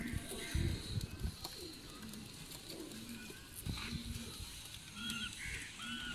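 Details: Salaray Teddy pigeons, a domestic pigeon breed, cooing indoors: short low hums repeated about once a second, with faint higher chirps, rustling and shuffling in the background.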